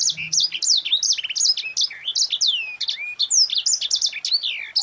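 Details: High, busy song of a yellow-fronted canary (sanger) in the tight rolling ngerol rapat style, used to tutor and provoke other cage birds: quick chirps, falling whistles and trills delivered nonstop, with a brief low rumble at the start.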